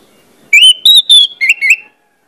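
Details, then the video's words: Orange-headed thrush song phrase for prompting other birds to sing: five bright whistled notes in about one and a half seconds, the first three level and high, the last two dropping and then lifting, in a clean recording. "pancingan anis merah bikin cepat ngeplong"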